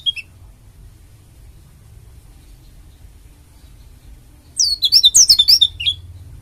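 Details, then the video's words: Oriental white-eye from Bali, a female, used to prompt other white-eyes to open their beaks and sing: after several seconds of quiet, a rapid burst of high, twisting, chirpy whistled notes lasting about a second and a half. "BURUNG PLECI DAKUN BALI GACOR UNTUK PANCINGAN PLECI AGAR CEPAT BUKA PARUH"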